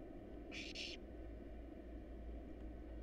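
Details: Wild barn owl nestlings in a monitored nest box, hungry while being fed a rat and a rabbit: one harsh, hissing begging burst of about half a second with a brief break, over a steady low hum.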